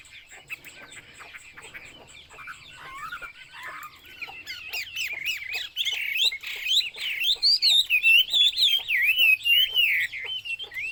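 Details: Chinese hwamei starting quietly with soft scattered notes, then swelling into loud continuous song of rapid wavering whistles and trills, growing stronger toward the end.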